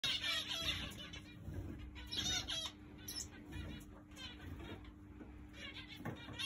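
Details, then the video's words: Zebra finches in an aviary flight, being readied for breeding cages, give overlapping nasal, buzzy chattering calls from many birds at once, with a steady low hum underneath. "Zebra finches in my flight"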